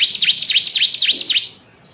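A yellow canary sings five quick, sharp down-and-up whistled notes, about four per second, high and clear, then falls silent.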